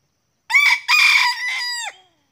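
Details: Loud close crow of a junglefowl, recorded while luring wild birds, with two of them coming in: a short first burst, a pause, then a sustained harsh phrase that tails off and drops at the end. Background is quiet.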